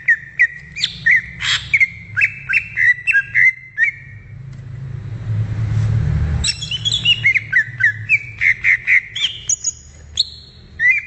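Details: A wild greater green leafbird gives rapid chattering whistles, interrupted for a couple of seconds by a passing rumble like traffic, then resumes with high bright notes and chirps.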